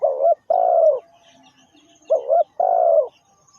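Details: Spotted dove used as a lure for dove trapping, giving two cooing phrases: each a short doubled note followed by a longer, slightly falling coo, about two seconds apart, over a quiet background.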